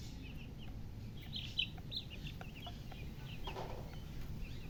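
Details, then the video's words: Chicken beside a coloured hen giving quick, high chirps in loose clusters, some overlapping, with a brief louder burst near the middle, over constant low background hum. "silly chicken chirping sounds with murgi hen color chicken"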